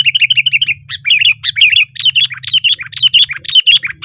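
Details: Loud, lively song of a sooty-headed bulbul on a branch: rapid chattering bursts of warbled notes in quick succession, nearly continuous across the clip.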